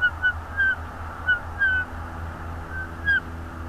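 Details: Bald eagle at a North East Florida nest camera, 24 January 2022, late afternoon: faint, thin piping notes in a loose, uneven series, some slurred downward, over a steady low hum.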